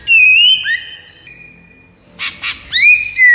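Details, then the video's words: White-rumped shama song meant to lure rivals: long clear whistled notes rising and falling, a brief harsh buzzy burst, then more bright whistles, with faint background noise. "MASTERAN 99% EFEKTIF PIKAT MURAI BATU LAWAN"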